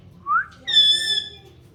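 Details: A talking parrot makes a quick rising whistle, then a longer, steady, nasal harmonic screech lasting about half a second in a quiet setting.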